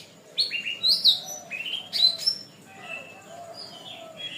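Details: Long canary song made for training birds: loud sweeping whistles and sharp chirps in quick succession, then softer, thinner warbled notes toward the end.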